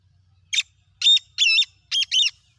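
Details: Whistle call of a black francolin, locally kala teetar: five loud, grating notes in a rapid series, a short opener then paired longer notes, over a quiet background.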